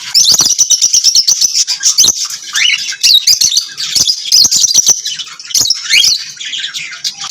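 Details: Lovebirds singing and chirping: a nonstop, loud stream of shrill high twittering, squeaks and rapid clicks lasting the whole stretch, several birds seemingly overlapping.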